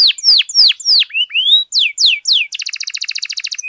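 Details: Lively canary song meant to excite other canaries into singing, opening with loud descending whistled sweeps, then two rising slurs and more falling notes, ending in a rapid rattling trill of clipped high notes and a brief whistle.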